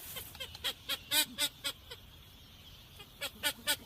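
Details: Blue-winged teal, recorded for Dominican hunting: an irregular run of short nasal notes, about two per second, fading in the middle and picking up again at the end, over a faint background hiss.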